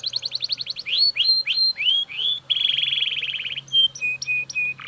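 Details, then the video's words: Belgian canary sings loudly in varied tours: a quick rattling trill, several slurred upward-sweeping whistles, a dense buzzy roll, then short flat piping notes at steady spacing. "Super Loud Belgian Canary Singing"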